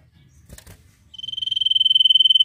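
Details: Common Iora (cipoh) in nyiul style song: after two soft knocks, a long, high, pulsing whistle begins and holds steady on one pitch until the recording cuts off.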